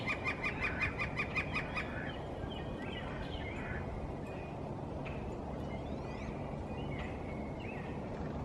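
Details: Northern flicker in spring, establishing a breeding territory from a high treetop perch: a short rapid run of evenly spaced notes for under two seconds, then scattered chirps of other birds over steady low background rumble.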